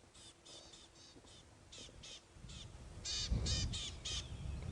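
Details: A Rattling Cisticola gives a distress call on a sunrise safari drive on 14 August 2016, unimpressed by a leopard on its termite mound. It scolds with harsh, buzzy chips, about four a second in uneven bursts, growing louder toward the end over a low rumble of engine and wind.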